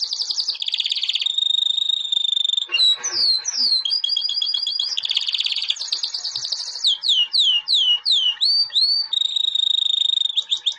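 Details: White albino canary, a 2017 champion, in a long varied song: steady buzzy trills alternate with rapid rolling runs and loud downslurred whistled notes repeated about three times a second.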